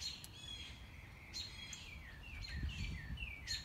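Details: Hidden mockingbird during a morning stroll, running through its varied song: a series of downslurred whistles repeated several times, mixed with higher chirps, while footsteps crunch underneath.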